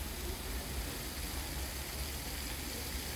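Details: Dense hiss and rushing noise across all pitches, with no animal voice.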